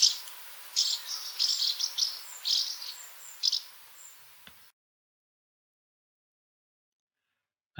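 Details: House martin calls, played back to help swift surveyors in Oxford tell the species from swifts and swallows: short, high chirruping notes in loose bursts for about four seconds, then silence.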